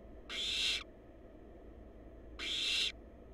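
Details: Barn owl babies, wild, in a research-monitored nest box filmed by live cam, give two loud, rasping hisses about half a second long, spaced roughly two seconds apart against a quiet low background hum.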